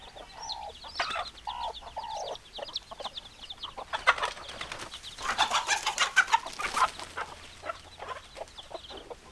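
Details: Chickens calling: a few drawn-out, nasal, harmonic bawks open the stretch, then a loud, noisy flurry of rapid clucks and scratchy sounds builds and fades.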